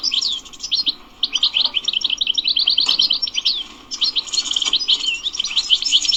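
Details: Wild European goldfinch from a Sunday bird market, singing the chattering style called bitbita: dense, rapid twittering of buzzy and sweet notes with short trills, pausing briefly near one and four seconds, over a faint steady hum.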